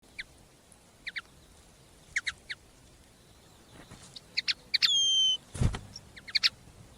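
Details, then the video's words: A captive common linnet kept by a songbird breeder in a village sings: short twittering chirps in pairs and small bursts, then a clear high whistled phrase, with one brief knock in the background. "Певчие птицы, коноплянка. Songbirds, linnet."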